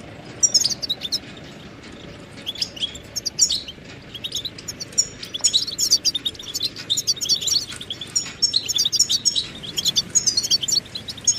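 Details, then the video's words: Goldfinch twittering in a long, rambling run of high chirps and trills that thickens toward the end, over constant low background noise. "Amplifying the Goldfinch's Voice"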